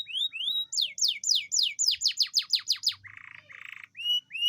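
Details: Atlantic canary singing a long rolling song meant to stimulate lazy canaries: fast repeated downward-sweeping whistles about three per second, then two buzzy trills and a pair of rising whistled notes.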